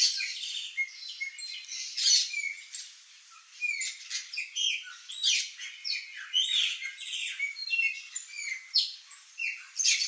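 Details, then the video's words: A flock of Chopi blackbirds (Gnorimopsar chopi) at fruit trees in a backyard in Brazil keeps up a dense, overlapping chatter of bright whistles, squawks and liquid chirps, with many birds calling at once. "PÁSSARO-PRETO canto, bando (GNORIMOPSAR CHOPI), CHOPI BLACKBIRD, GRAÚNA"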